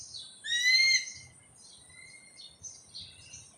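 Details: A male red-tailed hawk hunting for squirrels in J. Hood Wright Park, New York City, calls back its mate or sibling: one loud, hoarse, slightly falling half-second scream, followed by faint high whistles from other birds.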